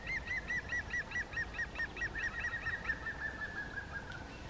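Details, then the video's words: Middle spotted woodpecker giving a quick series of nasal, slightly downslurred notes, two to three per second at a steady pitch, growing softer and running together toward the end, over a faint hiss. "Strakapoud prostřední, Middle Spotted Woodpecker, Mittelspecht, Middelste bonte specht"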